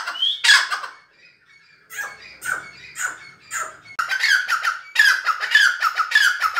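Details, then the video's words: A grey francolin gives harsh, grating squawks, first in scattered bursts, then in a quick, rough run of repeated notes. "Teetar awaz||Voice francolin||Partridge|| دکھنی تیتر||Teetar pukar"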